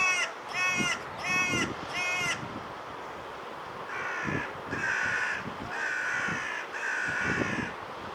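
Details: Carrion Crow (Corvus corone) in Portugal, its call higher-pitched than the raven's, gives hoarse, rasping caws: four quick ones, then four longer, flatter drawn-out caws at roughly one per second.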